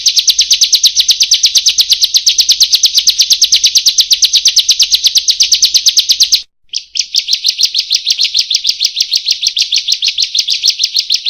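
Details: Training song of a bar-winged prinia, locally ciblek or prenjak: a sustained, very rapid trill of high notes lasting about six seconds, a short break, then the same fast trill again.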